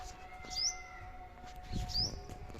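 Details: A sparrow perched on a drumstick pod in a garden gives two brief, high, upward-sliding chirps about a second and a half apart over a steady mechanical hum and low rumble.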